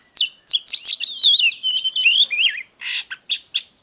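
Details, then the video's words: Captive Oriental magpie-robin (chòe than) in full song: quick high chirps and sliding whistles, a rapid warbled run, then harsh buzzy notes near the end. "Chòe than HÓT"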